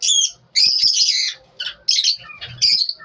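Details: Lovebirds in the morning giving harsh, high squawking calls in short separate bursts, each under a second long, with brief silences between them.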